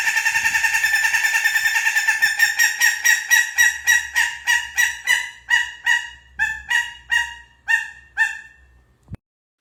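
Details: Bush Stone-curlew of Australia giving its nighttime scream, likened to a woman crying: a rapid run of about twenty harsh, wailing notes that slowly spread out and fade, over a faint low hum.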